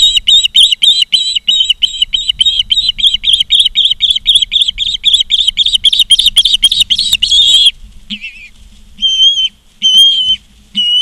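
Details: Osprey at a Charlo, Montana nest, on a live camera, 16 September 2023, 16:05: rapid, tightly packed high chirps continue for about seven seconds, then give way to a few longer, cleaner whistled notes with short pauses.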